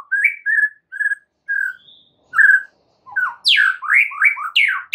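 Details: Oriental magpie-robin (murai batu) song used as a master recording for training caged birds: clear whistled notes near steady pitch, then a rapid burst of sweeping, rising and falling phrases, loud and varied, with short pauses between notes.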